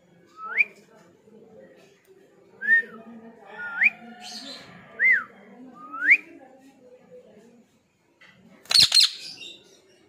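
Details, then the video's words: Pet ringneck parrot giving a series of five sharp, rising, whistled notes spaced one to two seconds apart, with soft human speech murmuring underneath and a sharp click near the end. "Cute parrot talking and [Ringneck] parrot different voice"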